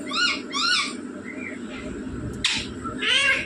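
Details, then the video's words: Rose-ringed parakeet mimicking human speech such as mummy and papa: two arched harmonic syllables in quick succession, a faint softer note, a sharp click, then another bright harmonic syllable. "बोलने वाला तोता मम्मी पापा बोलने वाला तोता"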